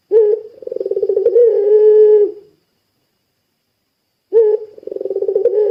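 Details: Two phrases from a vigorously calling puter pelung dove, meant to trigger other doves: a sharp opening note, a throbbing purr, a steady low coo, then a pause of nearly two seconds before the next phrase begins.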